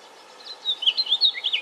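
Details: House finch giving a brief burst of quick, high twittering notes, a chattering series of short slurred chirps after a quiet start, with faint background hiss.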